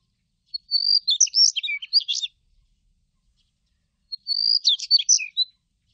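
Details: Two high-pitched Daurian redstart song phrases a few seconds apart. Each is a thin drawn-out whistle running into a hurried sequence of jumbled chirps and trills, with quiet surroundings.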